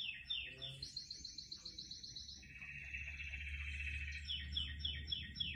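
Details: Canary singing among houseplants: a fast high rolling trill gives way to a lower buzzy trill held for about two seconds, then a string of quick descending slurred notes, over a faint low hum.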